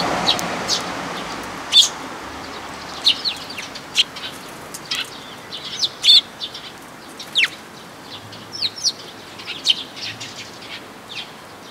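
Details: Sparrow chirping at a Tenmangu shrine on 14 May 2022: bright, clipped tweets repeated irregularly every one to two seconds, some in quick pairs, over a quiet outdoor hiss.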